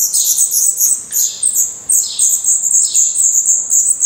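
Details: Black redstart nestlings in a nest in Portugal, eyes newly open and adult feathers growing, give a dense, overlapping stream of thin, very high chirps, some sliding downward, almost without pause.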